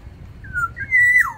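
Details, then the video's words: Black-naped oriole from Sumbawa, kept in an aviary and singing actively: a single mellow fluted phrase, a low whistle sliding down, then a higher level note ending in a quick downward slur. "Keodang emas sumbawa di dalam aviary gacor"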